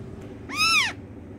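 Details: Talking pet rose-ringed parakeet giving a single loud, arched, harmonic-rich screech lasting under half a second, rising then falling in pitch, against a quiet indoor hum.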